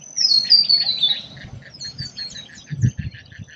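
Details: Australian forest birdsong: high, thin descending whistles open the song, followed by a run of quick chirps and soft notes repeating around three times a second, with low rustling beneath.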